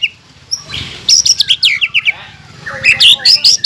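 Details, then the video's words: Green leafbird in full song, used to provoke rival birds into singing; the bird mimics a kingfisher and a white-rumped shama. Loud bursts of rapid high chirps and sharp notes come in two clusters, with a quiet pause between them. "PANCINGAN CUCAK IJO GACOR PALING AMPUH MENAIKAN EMOSI LAWAN AGAR BUNYI DAN GACOR"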